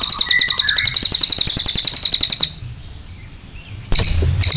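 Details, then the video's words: Cililin singing a long master song, used for training other birds: rapid, dense high-pitched chattering trills repeated about three to four times a second for over two seconds, then a pause and a fresh burst of sharp notes. "MASTERAN CILILIN NEMBAK PANJANG"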